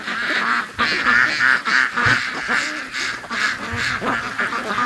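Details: Raised free-range ducks rushing out in the morning, a flock producing rapid, overlapping harsh quacks in quick bursts, several calls a second, with occasional lower thuds underneath.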